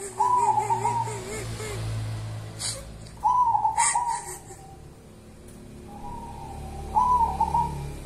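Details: Local wild-type zebra dove, called 'perkutut kuntilanak', singing bubbling trilled coos in separate phrases, with a low hum and a few clicks behind.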